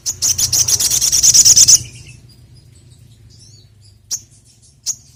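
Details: Sogon, also called sogok ontong, singing as a lure call: a fast burst of rapid high chirps repeated about twelve times in under two seconds, then quiet with two sharp isolated notes.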